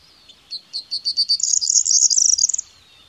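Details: A corn bunting (Emberiza calandra) sings a short song: a few ticking notes that quicken into a high, jangling, metallic trill, like shaken keys, lasting about two seconds.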